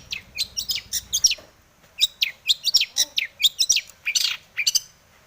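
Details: Long-tailed shrike in breeding mood singing a richly varied song meant to trigger other shrikes; bursts of high, clipped chirps, a short pause, then a steady run of bright descending notes.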